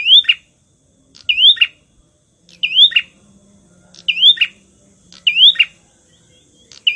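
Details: Prenjak (bar-winged prinia) 'tamu' song for luring rival birds: bright upslurred whistle snapping into a harsh buzzy note, phrases spaced about a second apart. Quiet low drone in the background.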